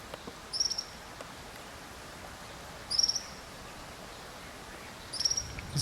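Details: In Karura Forest, Nairobi, Kenya, beside a forest river, a Mountain wagtail (Motacilla clara) calls from a distance to its partner with three thin, high, sharp contact calls about two and a half seconds apart, over a soft hiss.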